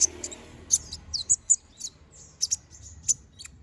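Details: Brown-throated sunbird, called konin, in a master recording for tutoring other songbirds, singing gacor ngobra with sharp bursts: high piercing chip notes and brief slurred whistles in short clusters, with faint low rumble behind.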